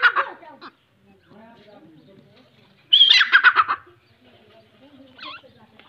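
Grey francolin giving two loud, harsh, grating bursts of rapid notes, with quieter murmuring voices heard in the gaps between them.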